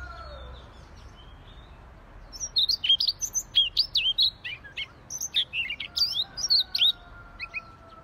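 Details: Rapid, varied warbling from a Siberian rubythroat singing gacor style, high clipped chirps, upward and downward slurs tumbling together for about five seconds after a quiet start, with low background hum.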